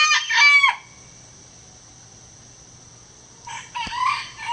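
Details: Three-year-old Gold Sebright bantam rooster, the loudest on the farm, crowing to a backyard flock: a harsh, ragged crow opens, silence follows, then a second crow begins near the end under a faint steady hum.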